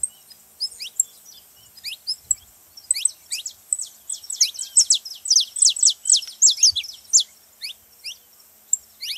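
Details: Saffron finch song meant to get a quiet canary singing: scattered sharp chirps build into a dense run of steep falling notes midway, then thin out again; clean background.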